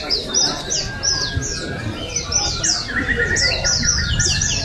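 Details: Oriental white-eye singing at an open bird song and style contest at Pesta Bederun, Balingian, Sarawak, 2023: rapid high thin chirps and sweeping twitters, several birds overlapping, over a low murmur of crowd voices.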